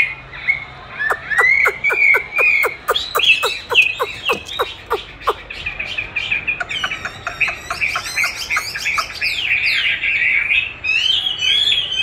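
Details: Caged Chinese hwamei being trained with playback of its own song; a rapid series of sharp clicking notes gives way to loud, varied whistled phrases around a high pitch, repeated warbling runs continuing to the end.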